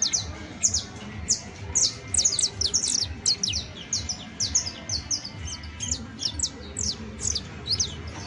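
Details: Long professional song from a saffron finch (canario basto): many sharp, high falling notes repeated quickly in a lively, nearly unbroken sequence, some grouped in twos and threes, with low hum underneath.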